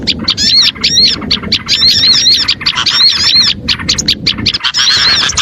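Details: Oriental white-eye song used as a lure to draw small birds in: dense, overlapping high twittering with quick rising-falling chirps, almost continuous, with a short pause near three and a half seconds.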